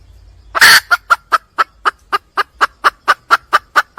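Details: A red junglefowl hen calling for a mate in the wild opens with a loud harsh note, then gives a regular series of sharp clucks, roughly four each second.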